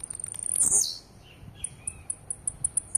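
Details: Aggressive singing of a blue-black grassquit: one harsh, high buzzy phrase dropping steeply in pitch, followed by a soft low slur and a string of sharp, evenly spaced high ticks.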